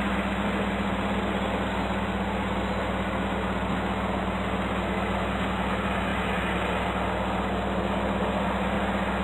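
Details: Continuous loud static-like noise over a droning low hum, unbroken for the whole stretch, without any animal voice.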